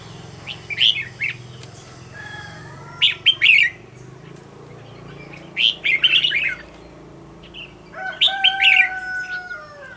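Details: Red-whiskered bulbul, a recording for training a decoy bulbul to sing; harsh, squawky bursts of notes repeated every two to three seconds, with drawn-out, thin, level whistles between them and a low background hum.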